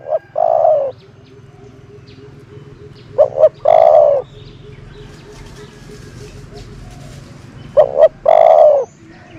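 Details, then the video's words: Decoy dove (nok tor) kept to lure doves, calling in three bursts several seconds apart, each a couple of clipped notes leading into a long, full, low coo; quiet hum between. "นกต่อ เสียงนกต่อ"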